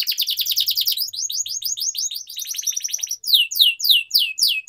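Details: Canary singing long and continuously, used as a training lure for young birds. Rapid chirp tours shift from one syllable type to another, ending in loud, spaced downward sweeps.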